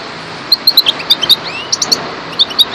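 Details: European goldfinch, parva subspecies, giving scattered bright chirps and short twittering notes in small clusters, with gaps between them, over a noticeable broad hiss of background noise.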